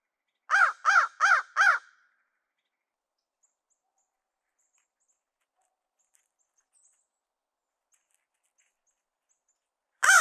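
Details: Crows mobbing black vultures to take back their food pile on Christmas Day: four rapid, harsh, arched caws, then a long quiet stretch, with another caw starting at the very end.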